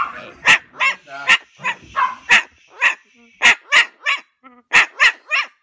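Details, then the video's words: A cockatoo imitates a barking dog with a quick run of about a dozen harsh, raspy barks, some with a squeaky edge, two or three each second. "BARKING COCKATOO"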